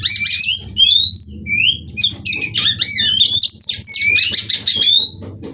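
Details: Female white-rumped shama from a breeding aviary in Cirebon, used to stimulate singing: rich varied phrases of clear whistles, rising slides and rapid chattering notes, with a low hum beneath.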